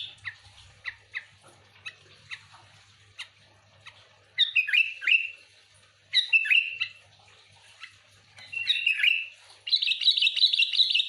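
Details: Sooty-headed bulbul, singing lively to lure other bulbuls: a string of dry ticking chirps, then repeated bubbly whistled phrases every two seconds, ending in a dense, fast chattering burst.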